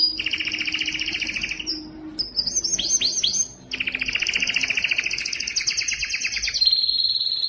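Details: Belgian canary singing to stimulate females for breeding: long buzzy rolling trills at two pitch levels, broken by a short run of falling whistled notes, then a steady rapid trill and a lower closing note.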